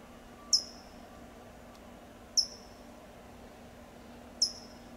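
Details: California towhee giving sharp high tsip calls in Del Monte Forest, California; three short bright chips spaced about two seconds apart over a quiet background with a low steady hum.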